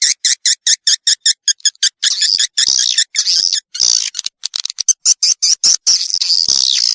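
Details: Swiftlets calling, used to entice young birds into a new nesting building: a quick series of high chirps, followed by longer buzzy twitters and scattered clicks.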